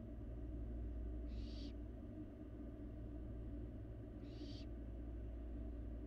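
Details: Fledgling barn owl eating alone in an empty nest box on a Florida live cam: two short, airy, screechy hisses about three seconds apart, set against a steady low droning hum.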